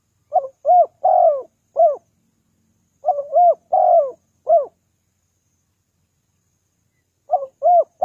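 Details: Lure call of a spotted dove, played to draw in wild doves. Three phrases of four mellow coos are heard, each with a drawn-out, wavering third note, separated by pauses of about two seconds.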